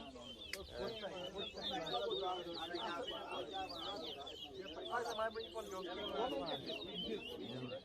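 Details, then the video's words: Chestnut-bellied seed finch singing during an Arrival Day bird whistling competition at a bird ground in Diamond, Guyana, 2023. Rapid high twittering and warbled phrases run continuously, layered over a crowd's lower chatter and voices. "TOWA TOWA BIRD WHISTLING COMPETITION"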